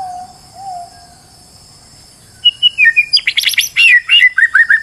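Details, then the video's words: Stressed white-rumped shama used to provoke another bird into singing: a faint low whistle, a quiet gap, then a fast run of clear whistled notes and bright buzzy trills. "PANCINGAN MURAI BATU STRES AGAR GACOR BONGKAR MATERI"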